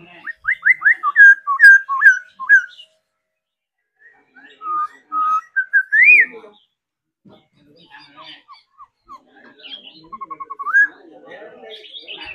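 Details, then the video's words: Singing-and-dancing laughingthrush, a trained cage bird practised daily, delivers a quick burst of whistled slurs, pauses, then a rising fluty phrase and a soft series of short repeated notes. "Khứu hót múa đẳng cấp. Luyện chim hót múa mỗi ngày"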